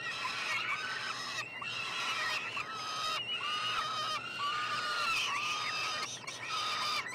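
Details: Nestling peregrine falcons, three siblings, begging as food arrives at a Montreal university nestbox, Canada, June 2022; about seven rasping, harmonic cries follow one another, several with a dipping, wavering pitch.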